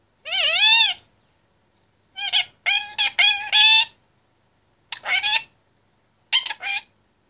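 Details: Chatterbox male Indian ringneck parakeet, 25 months old and caged, opens with a long rising and falling harmonic note, then three groups of rapid choppy speech-like syllables with pauses between.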